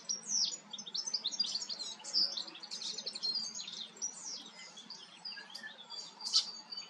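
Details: A common starling in the Eifel, singing while preening, gives a busy, rambling medley of high clicks, rattles, squeaks and thin whistles, with a soft low hum underneath.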